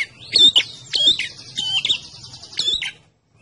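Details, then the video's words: Red-headed prinia (prenjak kepala merah) singing, used as a lure call, gives a quick run of sharp, high chirping notes rising and falling in bright bursts for about three seconds over faint low hum. "Prenjak ndas abang alias prenjak kepala merah gacor"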